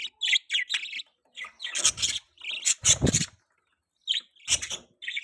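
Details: Baby budgerigar chirping, recorded 23 December 2023: dense bursts of high chattering chirps and twitters, some short broadband noisy bursts mixed in, with brief gaps of silence between phrases.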